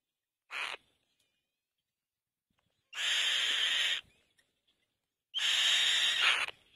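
Black-winged kite giving a brief rasp, then two long, harsh, wheezy screeches about a second each, spaced two seconds apart, in an otherwise quiet setting.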